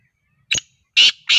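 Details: Black francolin, kala teeter, recorded in Sindh: short loud harsh grating notes, one brief note followed by two longer rasping ones in quick succession, with silence around them.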